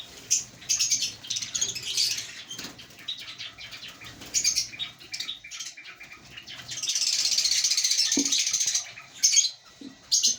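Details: African lovebirds in a breeding colony: bursts of shrill, high chirping chatter, then a dense, buzzy stretch of overlapping squeaks lasting about two seconds, followed by a few short separate chirps.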